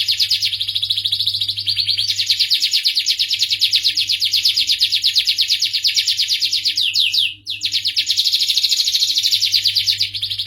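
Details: Sustained canary singing, dense high rapid trills running almost without pause for ten seconds, a brief dip near the end before trilling resumes; quiet low hum throughout.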